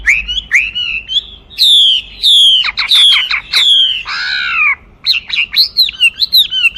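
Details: Rich, varied song of a Chinese hwamei: bright whistles, falling slurs and quick trilled notes follow each other almost without pause, with a short silence before a final burst of rapid notes.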